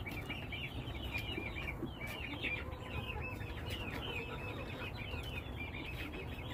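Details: A flock of chickens producing a constant chorus of thin, high, curved peeps that overlap throughout, with a low background rumble.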